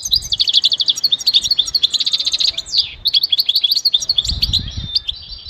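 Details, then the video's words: Goldfinch pouring out a lively, jangling song of quick repeated twitters and short trills, with a brief gap midway and soft low knocks toward the end. "Enjoy the beauty of the goldfinch and listen to the most beautiful motivational"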